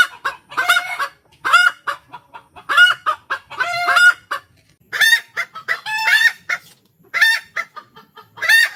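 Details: Cackling of ayam kampung hens after laying, with other hens answering back and forth. Choppy bursts of harsh, high, nasal cries mixed with short clucks fill the whole stretch.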